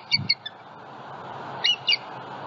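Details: Bald eagles at a Southwest Florida nest with eggs, live nest cam, February morning, a juvenile flying over; two brief pairs of high squeaky chirps separated by a pause, steady hiss beneath.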